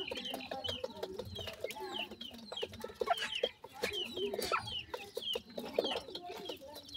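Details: Grey francolin family, chicks feeding: continuous high arched peeps layered over quick low clucking notes, several birds calling together without pause.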